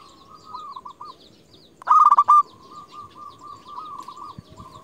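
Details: Local zebra dove used for luring and calling rivals; one loud, brief purring trill in the middle, while softer rolling dove trills run through the background before and after it over steady low noise.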